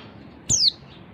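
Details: A single high, thin note from a female oriental white-eye, given to stimulate males, sliding steeply downward in a quarter of a second over low background noise.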